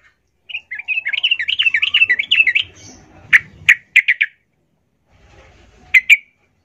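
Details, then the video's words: Yellow-vented bulbul song, played to coax other bulbuls into singing: a flowing, warbled phrase of quick chirps, then several loud, sharp, clipped notes separated by silences. "Suara trucukan gacor mengecoh Lawan ini ampuh sebagai pancingan trucukan agar bunyi"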